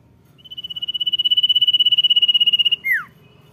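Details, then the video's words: A common iora sings its "dor nyiul" strain, "gacor": a pulsed shrill whistle fades in and steadies for over two seconds, finishing with one abrupt downward swoop. A quiet low murmur sits beneath. "CIPOW GACOR DOR NYIUL MANTUL"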